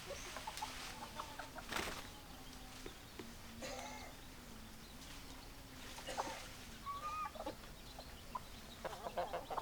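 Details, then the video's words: Chickens, hens and roosters together, giving scattered short clucks and brief rising calls over a steady low hum and a broad background hiss. "Chicken Sounds Noises Hens Clucking Roosters Crowing"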